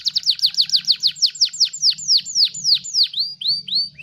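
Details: Canary song used as a master recording for training other songbirds: rapid trills of descending whistled notes, slowing into longer down-slurred and rising phrases, about three notes per second by the end, with faint low hum beneath.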